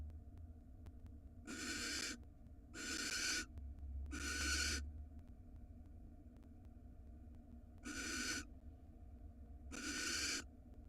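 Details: Female barn owl in a nest box in Israel receiving a rat from her mate: harsh, hissing screeches about a second long, five of them spaced roughly two seconds apart, broad and noisy, against faint low rumble.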